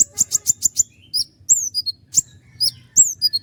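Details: Sharp rapid burst of about six high strokes from a common iora (konin gacor), then slurred, descending whistles and pointed accents. Its long rolls with sharp accents are offered as master material for other songbirds.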